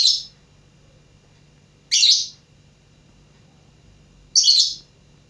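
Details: Lovebird practising its song: three sharp, rasping, high chirps spaced roughly two seconds apart over a quiet, steady low hum.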